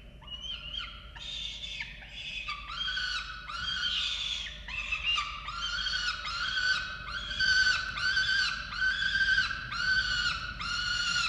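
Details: At a falcon nest in Orange, Australia, on 13 November 2022, while the chicks are being fed, a bird gives a long series of harsh, nasal wails. They repeat about once per second and grow steadier and louder toward the end.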